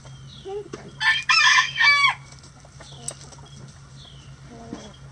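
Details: Chickens at feeding time in a coop: a loud, harsh squawking burst lasting about a second, preceded by brief clucks and followed by quiet murmuring over a low hum.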